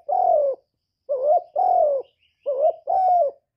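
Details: A spotted dove gives five low, hollow coos in quick succession, each about half a second long, recorded for stimulating captive doves to call; a faint high chirp from another bird is heard briefly between coos.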